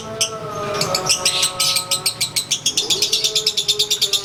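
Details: While being sunned, a caged konslet-style lovebird ngekeks: bright rattling notes start scattered, then settle into a quick regular burst train near three per second, over a faint droning background.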